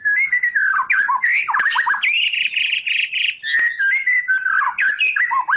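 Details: White-rumped shama of the Medan type in continuous loud song, mixing mellow mid-pitched whistles, fast buzzy trills and sharp upward flicks with no pauses.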